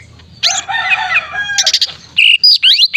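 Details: Greater green leafbird singing energetically, meant for training competition birds: a long harmonic warbling phrase followed by quick upswept whistles and emphatic chirps.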